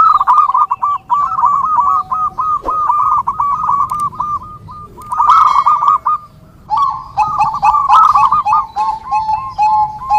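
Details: Zebra dove, a local bird, singing in a recording used to train and lure other doves; strings of rapid hooked cooing notes in a rolling trill, broken by short pauses, with faint clicks.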